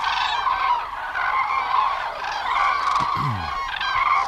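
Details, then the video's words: Hundreds of wintering common cranes fly down in cold weather to roost at Gallocanta lagoon, wingbeats audible, calling together in a dense chorus of loud, rolling trumpeted notes that overlap continuously with no pause. "Esto es sinónimo de frío, ¿eh? Escuchar a las grullas."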